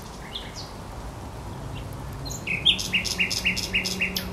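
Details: A thrush nightingale sings by the Żerań Canal, 24 April 2022: after faint notes, a loud sequence of about six evenly spaced, sharp chopping notes repeated roughly every quarter second, over a low steady hum.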